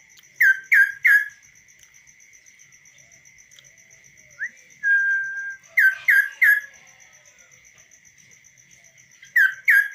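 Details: Tame kaso-kaso bird singing on the hand outside a cage, its voice clear and varied: bursts of three sharp descending whistled notes, a long level whistle between, with a steady high ticking in the background.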